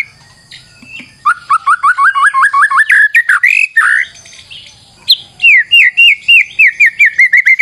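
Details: Lure song of a white-rumped shama: long rapid series of repeated chirping notes, a brief pause, then another fast run of downslurred whistles.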